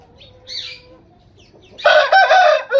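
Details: Rooster: a few soft chirps and a faint low note, then a loud, rough, harmonic crow starts late and runs to the end.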